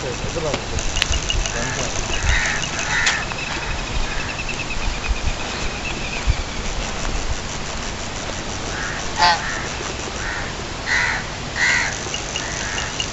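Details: Domestic goose at a fish farm in Kamoke, Pakistan, in daytime, giving short nasal honks over steady background noise and a few spoken words.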